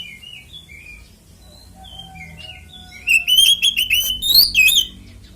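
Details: Oriental magpie-robin ngeplong tarung fighting song, played to make other magpie-robins sing: soft scattered warbles for three seconds, then a loud rapid stream of trilled, whistled notes, with faint low hum behind.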